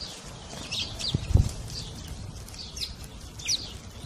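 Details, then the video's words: An Indian sparrow gives short, sharp chirps, scattered irregularly, over a low background rumble with a few soft thumps. "beautiful sparrow chirping"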